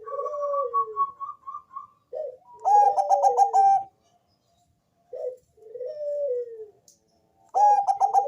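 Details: Bangkok zebra dove with a thick bass voice, singing to entice other doves to call. Two bursts of rapid pulsed coos alternate with slower, falling drawn-out coos and a steady, higher run of repeated notes from other callers.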